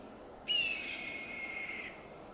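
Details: Red-tailed hawk calling loudly from a high perch after a large fox squirrel meal, Del Monte Forest, California: a harsh scream that starts sharply, then slides gently lower and trails off over about one and a half seconds.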